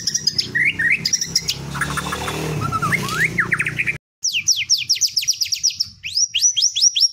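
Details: White-rumped shama (murai batu) singing in the teler style, packed with canary-like phrases: varied sliding whistles, a noisy stretch midway, then fast rhythmic downslurred notes repeated several times per second, ending in rising whistled trills.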